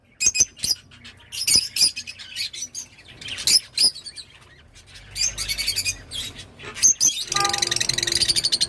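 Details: Shrill rosy-faced lovebird chatter: sharp high squeaks and ticks, a fast chirping run midway, and a dense rapid buzzy twitter at the end.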